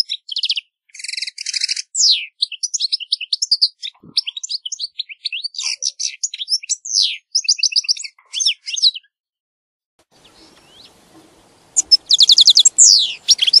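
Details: European goldfinch song: quick runs of bright twittering notes and fast repeated trills, falling silent near the end before a final burst of rapid high chirps.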